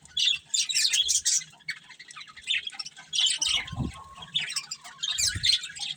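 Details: Budgerigars, a breeding pair, give bursts of scratchy, warbled chirping and squawky notes, broken by short pauses. A low thud is heard near the middle and again close to the end.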